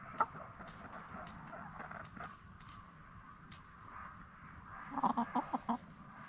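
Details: Black Star and Bielefelder hens settling for the night in a movable chicken tractor after free-ranging by day; a short burst of soft clucks late on, over steady low rumble and scattered scratching.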